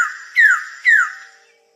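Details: Adult male Wilson's bird-of-paradise at his cleared display stage calling to attract a female: two loud, clear whistles, each sliding down in pitch, about half a second apart, after a fainter opening note.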